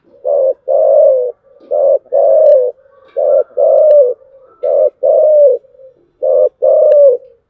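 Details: Spotted dove cooing in the 'giọng thổ chiêu gù' style. Repeated phrases of a short low coo followed by a longer, slightly falling coo, about four phrases in a steady rhythm, loud and clear.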